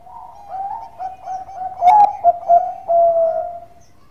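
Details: A Bangkok-type zebra dove gives steady low cooing that builds into a few quick, stressed staccato coos, then one long, smooth drawn-out coo, in a calm, melodious delivery.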